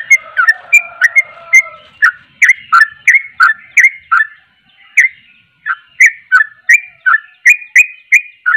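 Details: Lively sooty-headed bulbul song used to stir up rival bulbuls: quick whistled chirps repeated almost three times a second, a faint low hum early on, and a short silent gap before the bright notes continue.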